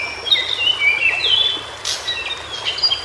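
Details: White-browed shortwing singing in its natural habitat: a run of clear, high whistled notes, some steady and some sliding down, linked into a quick warbling phrase, with soft background hiss.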